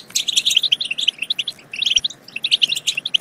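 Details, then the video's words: European goldfinch song for stimulating goldfinches to sing and mate: crisp, separate chirps strung into lively twittering phrases, with a brief pause before the second half. "بتبتات خرافية في تحفيز الحسون على التغريد"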